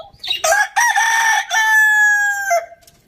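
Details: Rooster crowing in the morning: a loud, harmonic cock-a-doodle-doo that opens with short broken notes and ends in a long, level, held note lasting over a second, then drops away.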